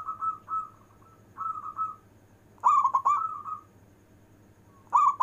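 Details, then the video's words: Local zebra dove in long-breath song, used to call lazy zebra doves: several cooing phrases, softer rolling notes first, then louder gurgling coos with trailing, drawn-out endings, repeated every couple of seconds over faint background hum. "Perkutut lokal istimewa manggung nafas panjang,cocok untuk manggil perkutut malas"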